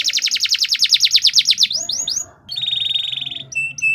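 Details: Green canary, described as ready for competition, singing: a fast run of rapid rhythmic chirps, then a few sliding whistles after a brief pause and a buzzy sustained trill ending in clipped whistled notes.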